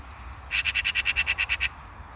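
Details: Eurasian magpie (Pica pica) giving a harsh, rattling chatter: about eleven rapid, evenly spaced raspy notes in just over a second, over quiet low background rumble.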